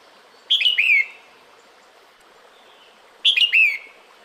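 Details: Female red-whiskered bulbul calling to the male during the breeding season: two brief liquid phrases of slurred, downward-sliding whistled notes, about three seconds apart, over a soft steady hiss.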